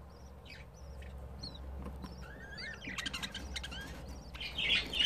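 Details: Budgerigar nest on the fifth day after hatching, three chicks out: short whistled notes and warbling chirps, then a busier, louder patch of rasping calls building toward the end, with low hum underneath.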